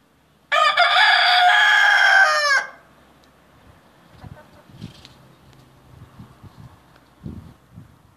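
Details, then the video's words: A single loud rooster crow of about two seconds, raspy and full-toned, ending sharply, followed by several seconds of quiet low thumps and faint scattered background sounds. "Rooster Crowing"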